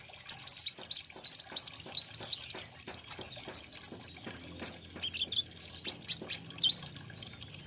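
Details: Olive-backed sunbird, local name kolibri ninja or konin, opening with a fast series of about a dozen rising high chirps, then clipped twitters and a few sharp upward notes.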